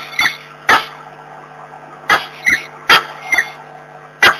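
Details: Peregrine falcons, a pair, in Włocławek on the morning of 26 February 2023: harsh, rasping single calls come irregularly, some closely spaced, over a steady low electrical hum.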